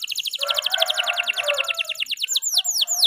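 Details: Canary of the F2YS line singing: a rapid run of high descending whistled notes over a low buzzy rattle, ending with slower, louder downslurred whistles.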